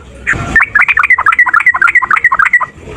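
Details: Fighting male yellow-vented bulbul, kept bird, in a long rapid song meant to prompt other bulbuls to answer: a dense bubbly run of short warbled notes, about three per second, after a brief rustle at the start.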